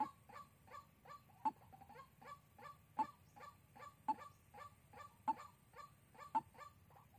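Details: White-breasted waterhen lure recording from Soc Trang, Vietnam, dated 2 February 2021, used for trapping: a low, hollow note repeated about every second, with sharper accented pulses roughly every 1.2 seconds and a faint background hum.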